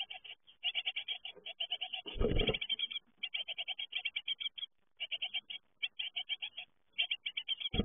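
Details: Great tit young leaving the nest keep up rapid, high, ticking chirps in bursts throughout. A loud rustling scrape is heard early on and a knock at the very end.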